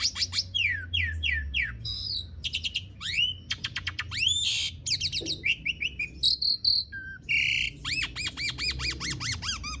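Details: Asian pied starling in long, rolling song meant to trigger singing in silent starlings: varied fast phrases of falling whistles, dry rattles, upslurred notes and buzzy squeaks, ending in a quick string of looping whistled notes.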